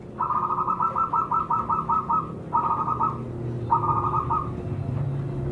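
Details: Zebra dove, a local wild bird whose voice serves to lure others: three bursts of rapid, soft, stuttering coos, the first long and the next two shorter, over a steady low hum.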